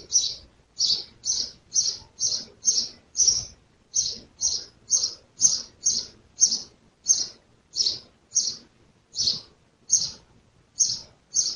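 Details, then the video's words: House sparrow in Jeddah, Saudi Arabia, where it is present year-round, recorded in 1441 AH: loud, bright chirps repeated steadily about twice a second throughout, with only faint low background sound. "صوت عصفور دوري المنازل"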